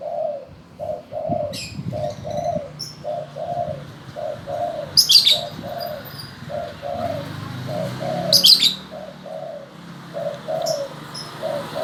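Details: Spotted dove calling on request, a steady string of short, low coos in pairs across the whole stretch, with occasional high sharp chirps from other birds and some rustling.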